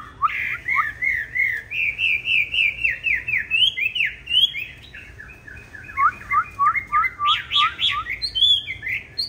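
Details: Chinese hwamei of green-bean-eyed type in fighting song, played for training other hwamei: a long, rich stream of pulsing whistled phrases, rising and falling, with a burst of higher, stronger notes near the end.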